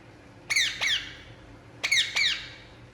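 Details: Indian ringneck parakeet relaxing and calling: two pairs of harsh, high, downward-sliding squawks, each pair quickly doubled, separated by about a second of quiet indoor background.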